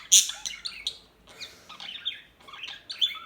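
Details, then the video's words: A few bright, piercing chirps from small birds open the passage, followed by softer twittering phrases and another sharp chirp near the end. "صوت العصافير الهادئة Bird sounds"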